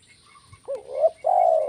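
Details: Kuk 1 spotted dove call: a quick hooked coo, a rising wavering note, then a loud sustained mellow coo, with faint thin chirps of small birds before it.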